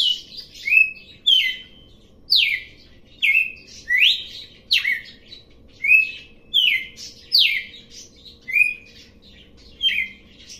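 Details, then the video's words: A red-cowled cardinal starts its song low and builds it up, singing bright whistled phrases that swoop down and then up, about one each second, over a faint low hum. "Galo de campina começando BAIXO e aumentando o CANTO"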